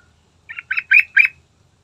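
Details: Sooty-headed bulbul in full song, used as a lure to prompt a bird to start singing. Four buzzy chirped notes come in quick succession, each a little louder, over a faint low hum.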